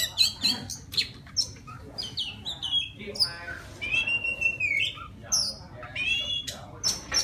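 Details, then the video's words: A wild Oriental magpie-robin sings to draw a female, pouring out bright whistles, rising and falling slurs and chattering notes in a lively, varied sequence. "Tiếng choè than rừng hót gọi mái"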